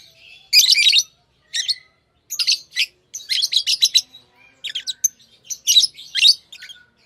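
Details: Lovebird chirping: bursts of shrill, high-pitched, scratchy chirps in quick clusters separated by short pauses, with no other sounds heard.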